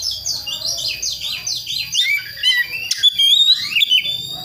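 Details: Young Priangan white-rumped shama from West Java forest practising song; a quick series of descending chirped notes gives way to brighter whistled phrases with rising and falling slurs, a steady high tone running underneath.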